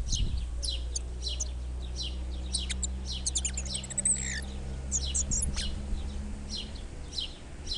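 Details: Spotted flycatcher chicks in the nest beg as their mother feeds them, a rapid stream of thin, high chirps repeated several times a second, over a steady low hum.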